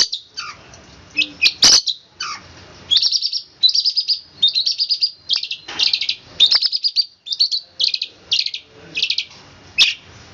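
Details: Long-tailed shrike delivering a roll speed rapat song, fast and closely packed: strings of buzzy, trilled high notes in bursts, with a few knocking clicks early on.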